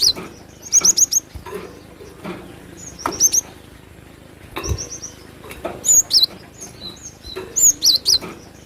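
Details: Energetic Cinereous tit song of sharp, high chirped notes in tight clusters, some notes sliding downward, clusters coming every second or so against a constant low hiss.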